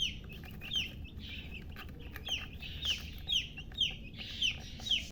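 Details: Chicken chicks giving repeated high, downward-sliding peeps roughly twice a second, some overlapping softer peeps from other chicks, over a low steady background hum.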